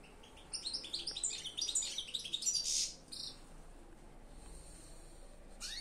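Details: European goldfinch singing: a dense, fast run of bright twittering and tinkling notes lasting over two seconds, ending in a short buzzy note, then near silence with faint background hiss.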